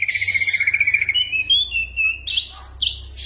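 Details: Ashy drongo giving a mimicked song of imitated bird sounds and gunshots, used to tutor caged songbirds. A long clear whistled note slides upward, then a high buzzy burst and short sharp notes.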